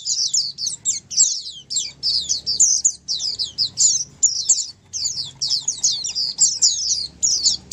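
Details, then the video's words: A chorus of Oriental white-eyes: thin, very high twittering phrases tumbling over one another almost without pause, with a faint low hum beneath. "Dengar Suara Pleci Ombyokan ini pasti nyaut burung pleci anda"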